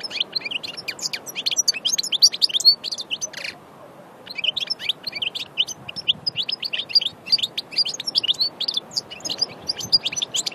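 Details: Sustained goldfinch singing, Annaba, Aïn Barbar: dense, sparkling high twitters and clipped chirps. A brief pause comes near the middle, then the rapid jangling phrases continue to the end.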